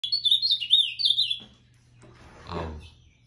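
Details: Ultramarine grosbeak singing in the moicano song style: a quick run of sweet, slurred whistled phrases rising and falling for about a second and a half, then a short rustling noise.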